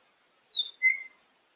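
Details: Female African grey parrot playing by herself on top of the cage; two clear whistled notes, a high one followed by a lower, longer one.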